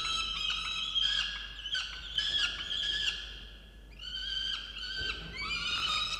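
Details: Peregrine falcon at a water-tower nest box in Orange, New South Wales, Australia, November 2022, angrily calling at its mate for not delivering breakfast: three or four harsh, harmonic wail bursts with quieter gaps and clicking between.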